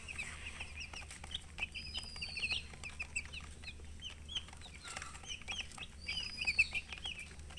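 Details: Chicks chirping in a steady stream of short, thin high peeps, many overlapping, with occasional longer whistled notes and soft rustling or tapping sounds beneath.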